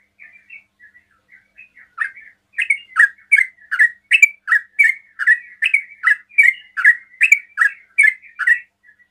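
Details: Sooty-headed bulbul in rapid 'ropel' song meant to draw replies from other bulbuls. Soft scattered chirps for two seconds, then a steady run of loud, liquid, down-up slurred notes, about two or three per second.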